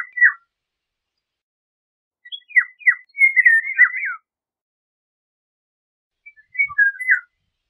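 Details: Fluty, liquid whistles from a Eurasian golden oriole: a brief opening note, then a longer warbled phrase of several swooping notes, and a final shorter phrase after a pause, with no other sounds.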